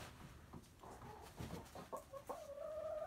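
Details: Chickens in a coop, a rooster among curious hens, on a typical day: several low, short clucks, then a sustained tonal, slightly wavering call at the end.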